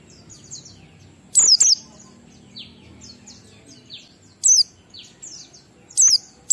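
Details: Oriental white-eye ngalas song, 12345-beat style, meant to provoke other white-eyes to sing; loud high notes in pairs about every two seconds, among fainter descending chirps of other birds.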